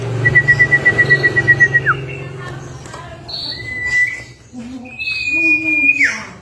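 Common Iora giving long, level, drawn-out whistles about two seconds each, ending in a quick downward slur; a low pulsing hum underlies the first.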